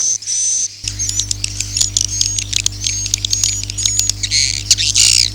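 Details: Swiftlet Akau ngaji sound: a brief high whistle, then a stretch of rapid, high, scratchy twitters and clicks over a steady low hum.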